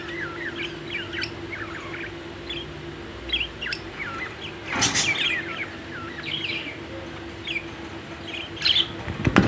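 Budgerigars chatter in a busy warble of short, quick chirps and twittering notes over a low steady hum.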